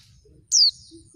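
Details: Single shrill, downward-sliding whistle from a female oriental white-eye, followed by faint twittering. The call is used to coax males that rarely sing into answering.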